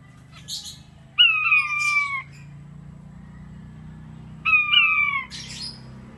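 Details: King quail kept in an aviary uttering two clear descending whistled calls, each about a second long and several seconds apart, followed by brief rasping notes, with a low steady hum behind.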